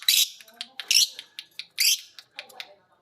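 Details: Caged lovebirds, a violet green and a pied, learning ngekek together: loud rasping chatter bursts alternating with shorter high chips, roughly once per second.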